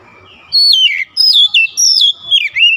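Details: Oriental magpie-robin song to excite magpie-robins: a steady string of five or six loud, sweet whistled phrases, each gliding from high to lower pitch, following a brief soft lead-in.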